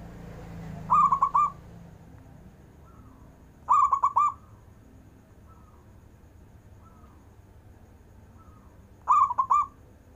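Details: Long-breathed song of a local zebra dove, meant to draw lazy zebra doves into singing: three short bursts of rapid rolling coos spaced several seconds apart, with fainter distant coos between them and a low background rumble.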